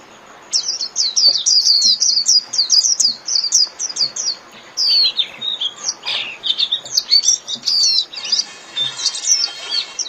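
A Japanese white-eye pours out a long, rapid warble of thin, high twittering notes, tumbling and jumbled, with only faint background hiss.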